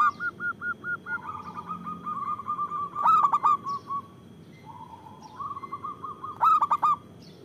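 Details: ['Local zebra dove with a big voice, used for luring and as a master voice for doves during moult. Rapid clipped coos lead into a lower, drawn-out rolling coo, broken twice by loud stuttering bursts.']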